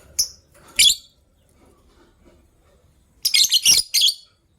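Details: Caged lovebirds in gray and yellow-green plumage calling in the morning: two piercing chirps, a second of quiet, then a rapid run of four harsh high notes.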